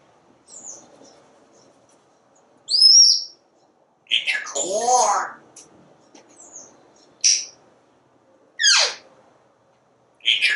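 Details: Parrot chattering on a screened porch as it watches squirrels and birds outside: thin high whistles, a loud word-like phrase with a wavering vocal sweep, then sharp downward whistled swoops at intervals.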